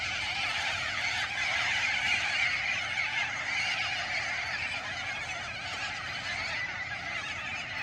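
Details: A flock of Sulphur-crested Cockatoos loading a eucalyptus tree and flying over Oodnadatta in outback Australia, filling the air with harsh, grating screeches that overlap into a continuous raucous din.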